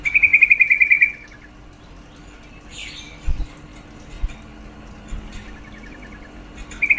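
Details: Female yellow-vented bulbul calling, a call said to rouse the mating drive of males: a one-second burst of rapid, even, chattering notes near the start, faint scattered notes, then another burst starting at the very end.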